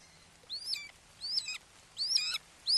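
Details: Red-shouldered hawks at a Wake Forest nest, morning of 29 May 2023, father arriving with a frog for a fledgling; four high squealing notes that slur downward, spaced about half a second apart, over faint background hiss.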